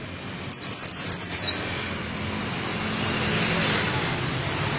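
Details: Oriental white-eye of the dakun type, used as master song for cage birds: six quick, high, downslurred chirps in one second, followed by steady rushing background noise.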